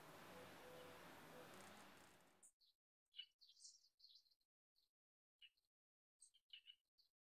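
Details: Rufous hummingbird, a feisty North American hummer. Steady noise for two seconds, then silence broken by scattered, thin, high chip notes in short clusters.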